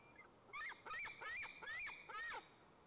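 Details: At a white-tailed eagle nest in Tatarstan's Lower Kama National Park, late August 2024, while the male delivers fish to the eaglet: five loud harsh yelping notes in quick succession, each rising then falling.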